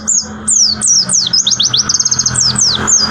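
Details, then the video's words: White-eye singing a rapid 'tembakan' style song: quick, high, descending whistled slurs run together in a bright cascade, with several steady repeated notes near the middle, over a faint low indoor hum. "Tembakan Pleci Bintang"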